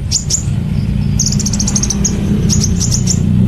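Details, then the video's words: Sunbird (Kolibri Ninja) delivering lively 'gacor' 'nembak cililin' song for training caged birds: high chirps, then a fast run of even ticking trill notes and more chirps, against a loud low hum. "Koibri Ninja Gacor Nembak Cililin Durasi Panjang"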